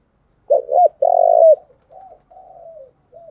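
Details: Decoy spotted dove urging wild doves to answer; one loud low phrase of two short hollow notes and a drawn-out coo, followed by a softer, fading run of coos.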